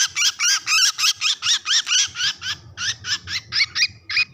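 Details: Bird distress call: a rapid run of harsh, chattering notes, about four or five a second, evenly spaced and sustained throughout, with a faint low rumble underneath.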